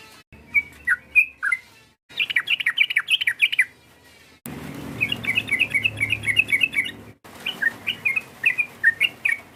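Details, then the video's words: Sooty-headed bulbul calls meant to provoke an opponent: scattered bubbly notes, then fast chattering runs of short inflected chirps, with brief cuts between phrases. "PANGGILAN TRUCUK ini memancing emosi lawan, TRUCUKAN langsung BUNYI GACOR"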